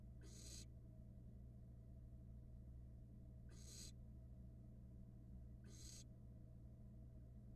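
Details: Barn owl nestlings at a Florida nest camera, 2022, eating a rat: three harsh, rasping hiss bursts, each about half a second, spaced roughly two to three seconds apart, over a constant low electrical hum.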